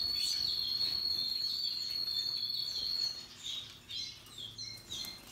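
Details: Russian yellow and Timbrado canaries in song: a bright, even high-pitched roll for three seconds, followed by separate rising and falling chirped phrases with short gaps.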